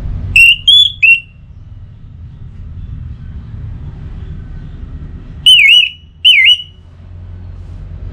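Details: Orange-headed thrush pacingan song: a quick trio of whistled notes, then after a long pause two separate wavering, warbled whistles, all above a low steady hum.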